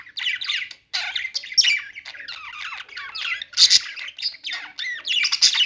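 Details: Budgies singing: a continuous run of fast, scratchy chirps and trills, rising and falling, broken by one brief pause near the start.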